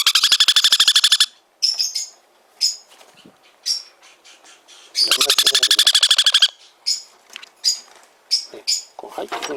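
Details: Sun conure chick kept in a pet shop in Fukuoka, Japan, alternating long stretches of loud rasping pulsed calls with clusters of short high chirps, while a woman speaks softly in the background.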